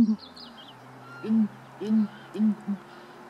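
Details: A brief stretch of Southern ground hornbill calling in Kruger National Park: three deep, drawn-out booming hoots about half a second apart, ending with a shorter note, over faint background noise.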